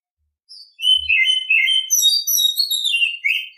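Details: Oriental Magpie-Robin singing in the morning: a rapid, varied run of clear whistled and chirping notes, high and bright, sliding up and down without pause over about three seconds, with no other clear sounds.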